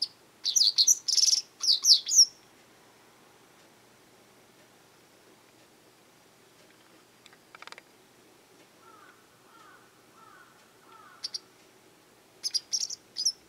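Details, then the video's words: A frequently calling Japanese wagtail in a garden, possibly claiming territory or threatening others, opens with a dense volley of rasping high notes; softer lower chirps from another bird follow mid-way before more wagtail bursts close. "よく鳴くセグロセキレイ Japanese wagtail"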